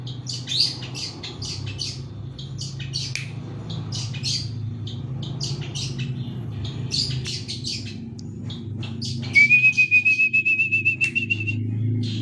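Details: Long-tailed shrike chirping: rapid harsh chirps and squawky notes repeat for about nine seconds, then a fast ticking trill holds one pitch, over a constant low hum.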